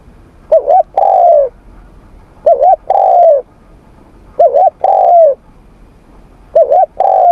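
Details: Spotted dove in morning voice training, giving soft low coos: a quick doubled note followed by a longer, falling coo, the phrase repeated about every two seconds, four times, over quiet background.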